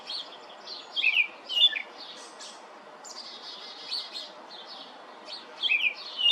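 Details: European robin song heard in scattered bursts: high, thin warbled phrases and sliding whistles, with gaps of quiet between phrases and fainter notes trailing in the middle; soft background hiss throughout.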